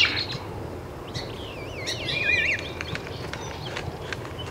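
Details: In Taos, New Mexico, on 17 June 2017, a great-tailed grackle gives looping, wavering whistles that rise and fall, with sharp clicks around them and steady outdoor background noise.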